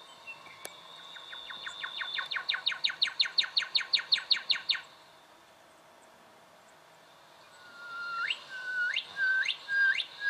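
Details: Recorded in Victoria, Australia, in October 2011, a juvenile brown goshawk gives a rapid chattering run of about twenty clipped notes, then a pause, then four slower upswept whistles.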